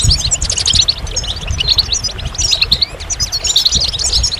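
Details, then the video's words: Goldfinch twittering in fast, liquid phrases of high chirps repeated in short clusters, with some low background sound beneath. "Magical Goldfinch Songs"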